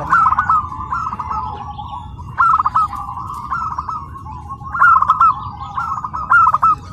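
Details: Tame local zebra dove singing at an Indonesian practice contest in Karawang after settling into the new place: evenly spaced phrases of quick vibrating coos, about every one to two seconds, over crowd noise.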